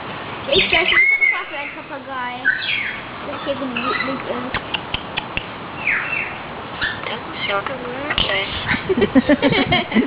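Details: A common hill myna that can talk, whistle and imitate sounds produces speech-like babble of harmonic, voice-like syllables. A brief high whistle comes early, followed by clicks and chatter.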